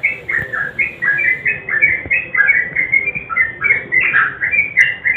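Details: Sooty-headed bulbul, lively gacor song combined with garuda, used to stir silent birds into singing: quick, steady string of bright slurred whistles, evenly pulsing about twice a second, with light background hiss.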